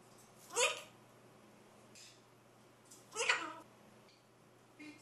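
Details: Macaw chatting away indoors with two short, raspy calls about two and a half seconds apart, plus faint softer murmurs between them, over a low steady hum.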